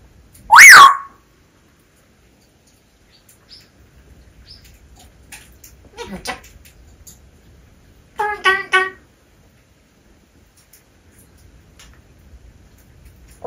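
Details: Chatty pet grey parrot indoors: one loud, sharp whistle sweeping steeply downward, followed after several quiet seconds by a few faint clicks. Then comes a short cluster of rapid, harmonic, voice-like notes, with soft background noise between the sounds.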